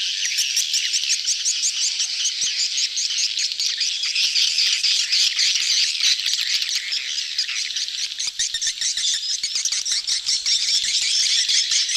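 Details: Swiftlet flock crowding during mating, betompok lure call: long stretch of dense shrill chattering and rattling chirps from many birds, steady with no pauses.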